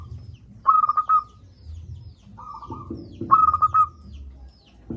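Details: Local zebra dove singing with a big voice as a lure for silent doves: two loud stuttering phrases of quick whistled notes about 2.6 seconds apart, separated by a quieter purring coo.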